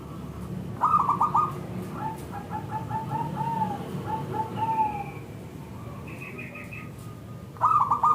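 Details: Local zebra dove singing as a lure to draw replies from other zebra doves: bursts of staccato, bubbly cooing notes open and close the passage, with softer overlapping cooing and other bird calls between.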